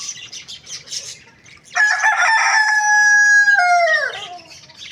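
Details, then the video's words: Rooster crowing in the morning: a single loud, rich crow of about two and a half seconds, held level and then sliding down in pitch at the end, with busy chirping of small birds before and after. "Rooster morning crowing sounds"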